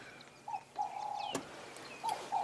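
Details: Black-headed oriole, several present, on a dull grey day in the South African bush near a thicket: a liquid chortle of mellow whistled phrases, one drawn out, a sharp click midway, and faint higher chirps behind.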